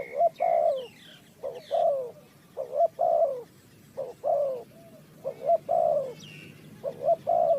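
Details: Bird-trapping recording of a spotted dove, Ninh Thuận: deep soft coo phrases repeated about every second, each ending in a falling note, with scattered high chirps from other birds.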